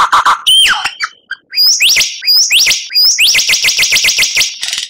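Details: Captive white-rumped shama used as a training recording for contest birds, with rich song fillers, shots and rattles: varied phrases open with low notes and a falling whistle, then a fast run of bright upslurred notes repeated about five per second.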